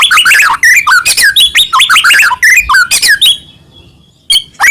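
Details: A Medan shama in full song, its singing meant to bait other shamas into replying. A dense burst of rich, varied whistles and rapid chattering notes, then a short quiet gap before a few more sharp notes.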